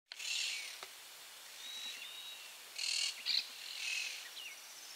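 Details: Monk parakeets screaming at Barra do Ribeiro, Rio Grande do Sul, recorded on a FujiFilm Finepix SL300 camera: harsh, raspy screeches in bursts of about half a second, some overlapping, with faint thin whistles between.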